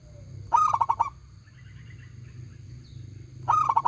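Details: Local zebra dove, loud and ringing, delivers one full phrase of a coo and five quick pulsed notes, then starts another after a pause filled with faint chirping and low hum.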